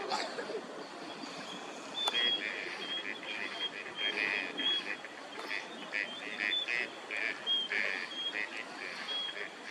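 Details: Wintering gadwall at a park pond, Junsaiike green area, Chiba, Japan, December 2025: short nasal chattering calls in rapid uneven bursts, with thin high whistles from other birds in the background.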